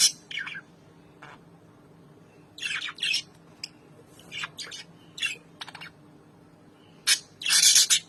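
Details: A pair of red-eyed albino lovebirds in an exchange of calls after more than four months of separation: short, shrill screeches and scratchy squawks in scattered bursts, separated by pauses of near silence, ending in a loud harsh outburst.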